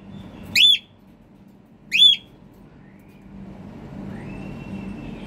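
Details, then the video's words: Cockatiel giving hungry calls: two bright, rising-falling whistled notes about a second and a half apart, followed by low hum and a faint passing vehicle-like drone. "cocktail bird hungry"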